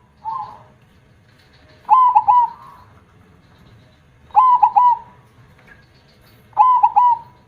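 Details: Zebra dove singing actively with a big voice in the KONG style: a short soft coo, then loud three-note cooing phrases with bright, bouncing notes and a trailing tail, repeated about every two and a half seconds.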